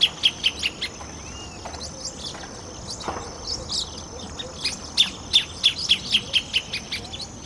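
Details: Greater thornbird (Phacellodomus ruber) in the cerrado of Brasília-DF, Brazil, giving a fast run of sharp, high chipping notes, about four a second, in two bursts, over a steady high insect drone.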